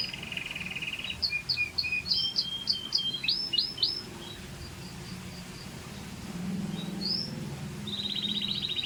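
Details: Scotch Fancy canary singing: a steady high trill, then a run of short bright notes and rapid downward-sweeping whistles, a pause with faint low background rumble, and a final buzzy rolling trill.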